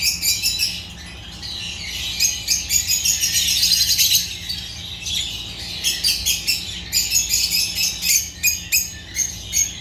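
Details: African lovebirds chirping: busy high squeaky twittering that swells into dense chatter, then breaks into short rapid bursts of sharp notes.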